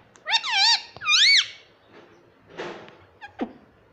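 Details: Mitthu, a talking parrot said to call 'mummy papa', produces two loud, bending, harmonic syllables in quick succession, followed by a softer breathy sound and a brief sharp squeak in a quiet room.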